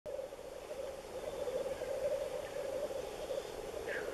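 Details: Seventeen male black grouse at a lek, with no females seen, give a steady, low bubbling chorus without pause, and one brief higher hissing note rises near the end.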